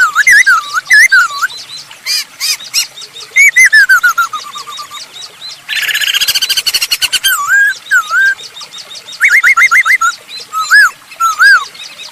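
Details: Masked laughingthrush singing vigorously as a lure to set other birds singing: varied looping whistles and descending phrases, a harsh noisy burst, a rapid chattering rattle, then more quick repeated whistled notes.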